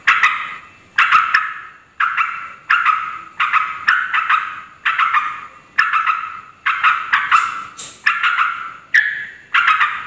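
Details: Lure call of a yellow-vented bulbul, noisy chatter meant to provoke other bulbuls; about ten harsh rattling bursts, each starting sharply and fading, repeated roughly once a second.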